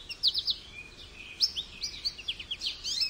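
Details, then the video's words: High, tinkling goldfinch twitter: rapid chirps and short slurred notes running almost continuously, varying in loudness, with a bright, rippling quality throughout. "Goldfinch Bird Sounds"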